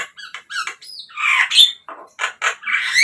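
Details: Javan myna played as a lure to make captive birds start singing: harsh squawks, squeaky notes and short whistled slides in quick irregular bursts, with brief gaps between phrases.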